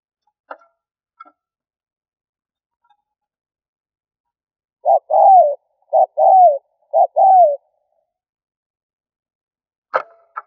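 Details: Spotted dove giving a luring call after a quiet start with a few faint clicks: three quick pairs, each a short coo then a longer falling coo, then more faint clicks.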